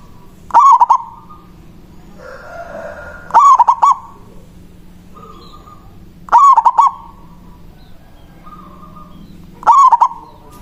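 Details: Local zebra dove with a big voice, singing manggung to lure a rival. Four rapid stuttering coo phrases repeat about every three seconds, each a tight cluster of throaty notes, with quiet hiss between.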